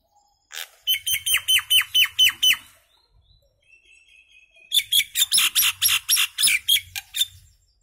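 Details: Common myna delivering two rhythmic runs of clipped, buzzy notes with whistled cores, separated by a softer thin whistle, each run about three notes per second.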